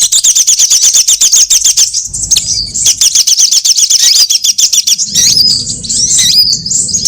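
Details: Trapping lure of sunbirds of all kinds: loud, fast chattering trills of sharp ticks with shrill high twitters on top, broken by short gaps with a low rumble, then squeaky slurred notes.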